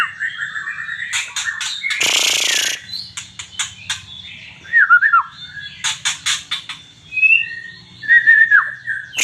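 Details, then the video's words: White-rumped shama from Aceh singing actively: a varied run of clear whistled phrases, some slurred and dipping, broken by rapid ticking rattles and a harsh broad burst, with short pauses between phrases. "MURAI BATU GACOR ACEH"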